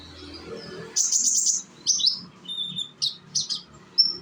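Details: Young konin sunbird from Indonesia, kept as a lure recording to prompt untrained konin to sing along: very high, sharp chirps, a rapid buzzy trill burst near the start, then short piercing notes spaced irregularly over a faint low hum.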